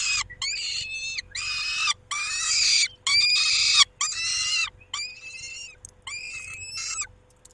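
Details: Male peregrine falcon tending the females at the nest, 23 May 2021, 19:40: loud, rasping, noisy wails in quick succession, some rising and falling, separated by brief silences, with a faint hum beneath.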